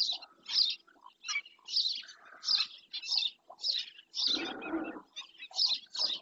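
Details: Doñana black-winged stilt giving a run of sharp, grating notes spaced about half a second apart, broken midway by a brief rough rustling burst before the yapping resumes.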